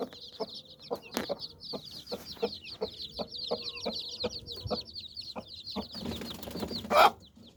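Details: A hen gathering her nine chicks beneath her wings gives steady, dull clucks at an even pace, over continuous high chick cheeping, ending in a brief burst of noise.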